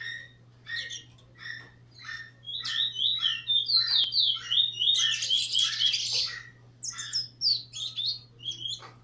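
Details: Trinidad bullfinch from 2018, a brown nurser bird singing against a teacher bird in a singing competition; short warbled notes and chips, then a fast rising-and-falling twittering run in the middle, over a steady low hum.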